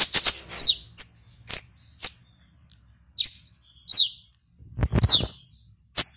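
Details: Konin (Purple-throated sunbird) from Serang, Banten, Indonesia, competing online: sharp, high, downslurred chips spaced about half a second apart, each clear and separate, with one soft thud.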